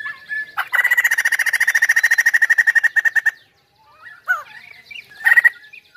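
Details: Chinese hwamei sings a loud, steady trill of roughly thirty rapid pulses lasting nearly three seconds, then after a short silence adds a few curling whistles and a final sharp burst.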